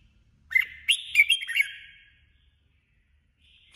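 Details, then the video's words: Single lively phrase from a female red-whiskered bulbul decoy in competitive song: a rising chirp followed by fast, bright warbled notes lasting about a second and a half, then quiet. "Chào mào hót đấu 2021| chào mào mồi 2021 | chào mào mái"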